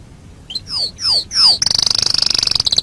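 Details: Canary song as a training master: three loud descending swept whistles followed by a quick, high, buzzing trill of rapidly repeated notes.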